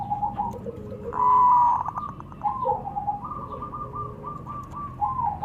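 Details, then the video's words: Male and female local zebra doves exchanging calls: short cooing trills, a clear held whistle-like note, then a long run of rapid beaded coos at an even pitch. "Suara perkutut lokal saling sahut."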